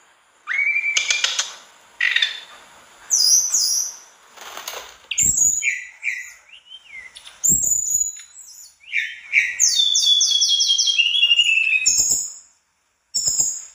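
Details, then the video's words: Mangrove blue flycatcher singing loud, fast, varied phrases of high whistles, slurred notes and quick trills, with borrowed phrases mixed in and a few sharp clicks between. "Tledekan bakau gacor dor isian"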